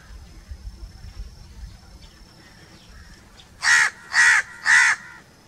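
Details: Three rough, evenly spaced crow caws arrive near the end after a quiet lead-in with low background murmur.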